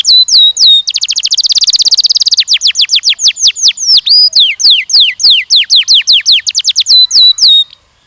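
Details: Singing canary, recorded to train young males and females for mating. Loud clear down-slurred whistles frame a dense rapid trill. A long series of separate swooping notes follows, about three per second, and the song ends abruptly in silence.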